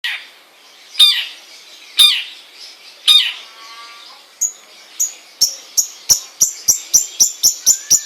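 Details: Long-tailed shrike singing: three harsh, downward-sweeping notes about a second apart, then a quickening run of sharp, high ticking notes that grows steadily faster toward the end.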